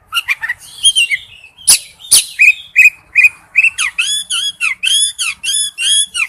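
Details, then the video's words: Male oriental magpie-robin calling to a female: after a few sharp clicks, a steady string of short, harmonic whistled notes repeats at a lively, somewhat uneven pace. "tiếng chích chòe than gọi mái/chích chòe than trống kêu"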